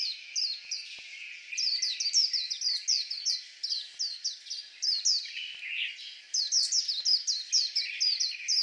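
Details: Sustained white-eye song, an unbroken stream of rapid, high, slurred whistles and chips, sweet and twittering, with a few lower warbled notes woven in.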